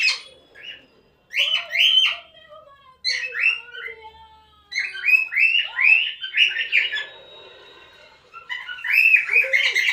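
A cockatiel gives bursts of bright, arching chirps and warbled whistles, several strung together in quick runs.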